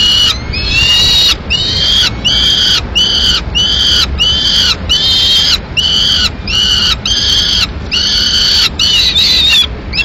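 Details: At a Madrid nest on 21 May 2016, a female peregrine falcon feeds pigeon to her two chicks. Steady series of loud, hoarse, harmonic screeches, each about half a second, repeated roughly every 0.8 seconds throughout.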